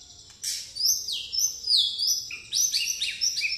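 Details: White-rumped shama singing pastol style with fighting sparrow notes; dense, very high chirping and falling sweeps in rapid, irregular bursts over a soft background hum.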